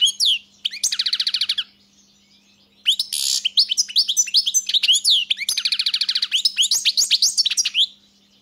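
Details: European goldfinch singing a rapid, twittering song: trilled series of bright repeated notes, a short pause, then a long run of mixed chirps, buzzy rattles and fast rising and falling twitters, high-pitched throughout.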